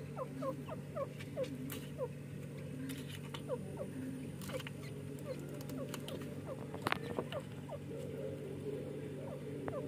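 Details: Two young francolin chicks fighting and playing give thin, high peeps, several per second, each sliding down in pitch, over a steady low hum and scattered knocks.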